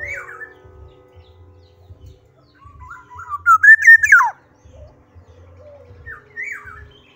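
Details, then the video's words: Black-naped oriole in full song: faint whistled notes lead into a loud, mellow, rising phrase that breaks into a quick falling slur, then softer scattered whistles, with a low background hum. "kepodang gacor"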